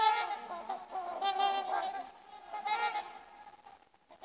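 Trumpeter Swans give deep, nasal, horn-like honks, several birds calling in overlapping bursts with brief pauses between.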